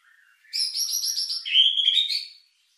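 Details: White-rumped shama singing a lure song intended to raise emotion and breeding drive: a soft low note, then a loud sustained ringing trill that drops into a steady whistled trill.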